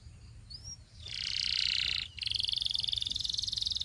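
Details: Training song of a Belgian canary for young canaries: one short rising whistle, then a sustained rattling roll, a brief break and a second, faster pulsing trill.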